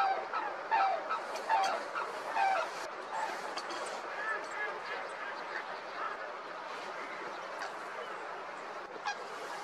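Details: Wild red-crowned cranes (Grus japonensis) in a flock on the Imjin River give loud, clipped trumpeting calls, several clear ones in the first seconds, over a steady murmur of many more birds calling.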